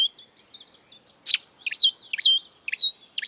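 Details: Marsh warbler singing in the wild, soft high twittering at first, then louder slurred whistles and buzzy notes given in quick bursts about twice a second.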